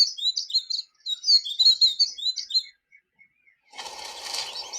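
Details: A songbird sings early in spring, possibly a pre-dawn territorial song, giving a quick, high, twittering phrase of chirps and trills, followed by a brief burst of noise.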